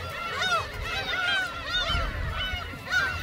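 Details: Gulls being fed shrimp snacks at Seonjaedo: repeated arching mews from several birds, overlapping in bursts roughly every half second, over steady low noise.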